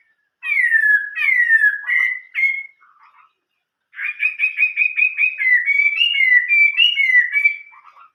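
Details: Chinese hwamei singing giọng rừng già (old-forest voice) song: falling slurred whistles and a low mutter, a brief pause, then a lively run of rapid repeated notes mixed with varied whistles.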